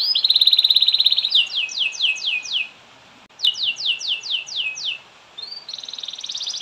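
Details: Canary singing in extended gacor style to spur other canaries: a loud buzzy rattle, then two series of quick descending sweeps split by a brief gap, ending in another high rattling trill.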